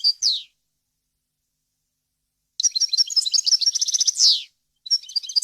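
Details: Goldfinch song meant to teach chicks and hybrids a faultless varied song: a brief buzzy downslur, two seconds of silence, then a dense burst of rapid high twittering that closes with another harsh falling sweep.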